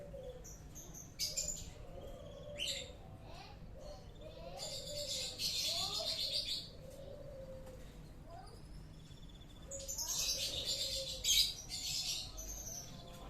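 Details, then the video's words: Canary while mating, kept for breeding: bursts of fast, high, chattering warbles and trills broken by pauses, with softer lower wavering notes between bursts and a faint background hum. "perkawinan burung kenari"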